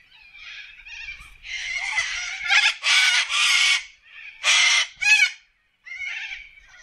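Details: Wild corellas in an Australian forest give loud, harsh, drawn-out raspy screeches in quick succession, several overlapping, ending after a brief silence with a softer call.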